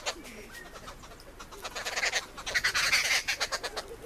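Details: Arrow-marked babbler eating at a campsite, giving rapid grating chatter that swells into a dense, raucous run of harsh repeated notes before easing slightly at the end.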